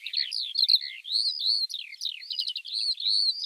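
A Eurasian Skylark pours out a fast, unbroken stream of high, liquid warbles and chirrups, trilling and sliding without pause. No other sounds intrude.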